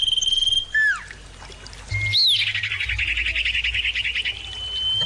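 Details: Common iora, several birds answering one another, recorded as a lure to prompt captive birds to sing: clear whistled tones, sharp downslurred notes, then a long rapid trill with insect buzzing in the background.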